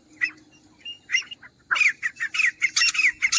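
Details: Grey francolin (Ortygornis pondicerianus) call, used as a hunting lure sound: harsh, squawking notes build into a fast, loud series of about ten repeated high calls.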